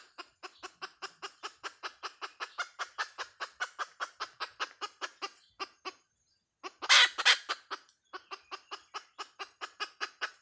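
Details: Hen delivering a long, steady series of short clucks, around three a second, with a brief silence followed by a loud, rough squawk burst, then the clucking continues.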